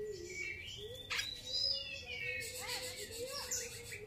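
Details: Grey-cheeked bulbul singing: drawn-out whistled notes that rise and slide, then a run of looping slurred phrases, over a steady low humming tone.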